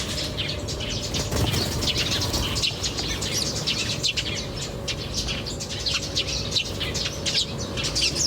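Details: Steady chorus of birds chirping in nature, rapid bright twitters layered over one another for the whole stretch, above a continuous low hum.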